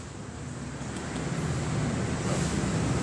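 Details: Only a steady low rumble of wind or passing traffic is heard, slowly growing louder, with no animal voice.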